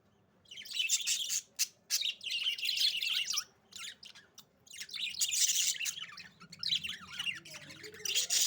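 Budgerigars chirp in busy, scratchy bursts of high warbling notes that tumble over one another.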